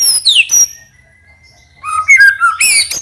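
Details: White-rumped shama, a caged songbird, giving a few sweeping high whistles, a thin held tone, then a quick run of lower warbled notes and sharp chips.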